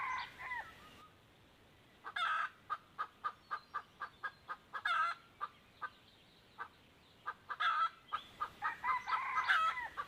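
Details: Wild chicken answering a hen decoy, two birds present, 1 April 2024: a crow at the start, then a regular run of crisp clicks about every half second broken by short crows, ending in a long raspy crow.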